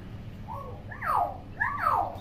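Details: Common hill myna, a tame talking bird known for imitating all kinds of sounds, gives two rich swooping calls about a second apart, each rising then falling sharply, over a low room hum.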